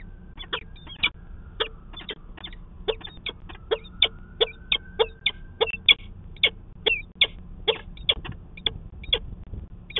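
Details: Peregrine falcon conference at a nest in Manchester, New Hampshire, 19 February 2020. Loud, clipped, high calls repeat rapidly and fairly steadily, roughly two or three a second, over faint low hum.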